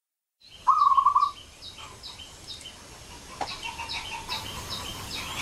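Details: Young wild-caught local zebra dove singing as a lure to set other doves singing: one loud burst of rapid rolling coos, then faint distant cooing notes and a soft background hiss.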